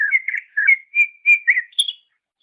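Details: Master training recording of a greater green leafbird: a lively series of warbled, slurred whistles in a steady mid-high pitch, rising into a brighter final note, clean and free of other sounds.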